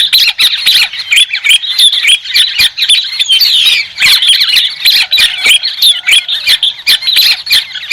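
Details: Continuous raucous cackling from white-crested laughingthrush, a rapid stream of harsh chattering notes with sharp clicks throughout and no background noise.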